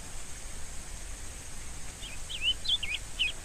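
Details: Rusty-collared seedeater singing faintly at first, then clearer slurred whistles from about two seconds, dipping and rising notes in quick succession over constant background hiss.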